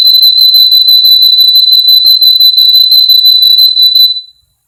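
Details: Male Russian canary, bred in Miami, Florida, singing a training phrase: a steady, high, rapidly pulsed whistled roll lasting about four seconds, then stopping abruptly into silence.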